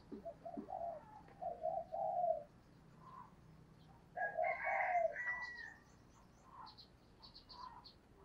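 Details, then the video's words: Spotted dove used as a decoy, giving a run of low mellow coos against background hiss. Louder, higher calls from other birds overlap midway, and faint high chirps follow. "chim cu gáy mồi cây"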